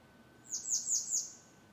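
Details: Grey wagtail (Motacilla cinerea) at Močilnik, Vrhnika, Slovenia, 27 June 2023, gives four sharp, very high, metallic notes in a quick run, about one every fifth of a second, over a faint steady hum.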